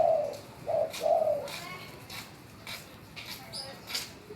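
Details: Caged spotted dove trained to call on command, giving three low, hollow coos in quick succession, the last one drawn out. Faint clicks and taps follow in a small indoor room.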